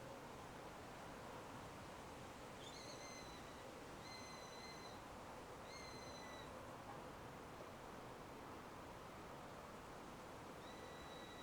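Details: Eurasian sparrowhawk, one of a pair visiting a nest in a large old beech. A run of five prolonged, level, piping whistles, spaced roughly 1.5 to 2 seconds apart, the last after a pause, against constant outdoor hiss.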